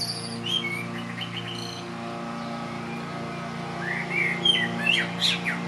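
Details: Blackbird singing on a neighbour's roof in Lower Hutt, New Zealand, breezy late spring day; a fluted phrase with thin high notes, a quiet gap, then another warbling phrase rising into squeaky twitters, lawnmower humming behind.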